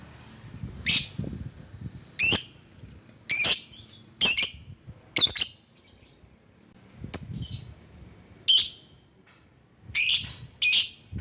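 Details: Lure lovebird calling to rivals gives a series of nine harsh, piercing, high chirps, each short and buzzy, spaced irregularly one to two seconds apart over faint low background noise.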